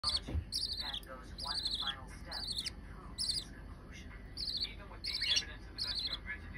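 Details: A budgerigar chick gives rapid, raspy, high chirps in quick bursts, begging while its mother feeds it.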